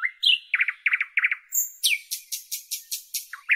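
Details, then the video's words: Nightingale from northern Europe singing: a rising whistle, three paired low chuckling notes, a thin high whistle, then a fast run of about eight sharp repeated notes. "Northern European Nightingale Birdsong"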